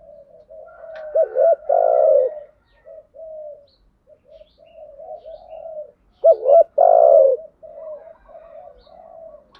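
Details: Spotted dove cooing, male and female, a lure for rousing decoy birds in thúc gù and gáy gọi styles: soft continuous low cooing with two loud bursts, each a quick double note and a long swelling coo.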